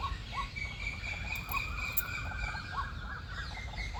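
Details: White-breasted waterhen giving its mating call among other singing birds: short upward-flicking notes repeated roughly twice a second, with a thin steady whistle and other bird chatter behind.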